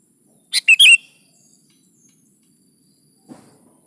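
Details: Bright phrase of a sooty-headed bulbul in full song (gacor): a sharp note, a short chirp and a warbled twisting whistle in under half a second, then silence and a faint low knock.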